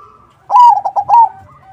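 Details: A single clear zebra dove phrase in 'crossing' song, used to lure other perkutut to answer: a drawn-out whistled note, three fast clipped coos, then a falling final whistle.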